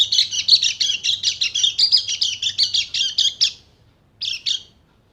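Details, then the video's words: White-eye from Bali, a lure recording meant to stir silent birds into lively song: a rapid, high chattering run of sharp chirps for about three and a half seconds, a brief pause, then two more chirps over a faint low hum. "PANCINGAN PLECI MACET BUNYI JADI EMOSI DAN GACOR"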